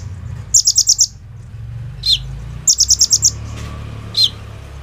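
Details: Kolibri ninja sunbird singing hard, a song laced with bren and rambatan phrases, meant to coax other sunbirds into song: two brief bursts of five high pulses, each followed by a lower slurred chip, over faint background hiss.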